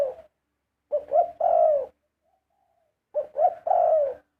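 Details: Large spotted doves singing 'karom'. Two full phrases, each of two or three quick, throaty coos followed by a longer, drawn-out coo, separated by roughly a second of silence.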